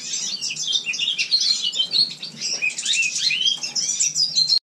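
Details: Captive house finch singing indoors in a shared room in winter: a continuous, rapid, high warble of varied chirps, twitters and slurred notes running without pause for nearly five seconds, over a faint low background hum.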